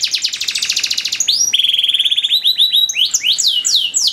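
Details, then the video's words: Canary singing a long master song with ornate phrasing used to train other canaries: a rapid buzzy trill of fast repeated notes, then a steady rolling trill, ending in loud downward-sweeping whistles. "DURASI PANJANG BANGET LAGU DAN CENGKOK MEWAH, MASTERAN TOP UNTUK KENARI"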